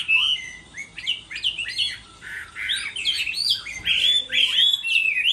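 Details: Contest singing from a Chinese hwamei in moulting season: a rich stream of clear whistles, sharp upward slurs and fast twittering runs, growing louder and more continuous toward the end.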